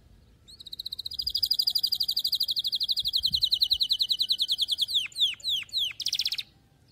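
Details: Canary song played to teach young canaries to sing: a long, fast, even trill of rapid high notes held for about four seconds, then several sharp downward-sweeping whistles and a final buzzy burst.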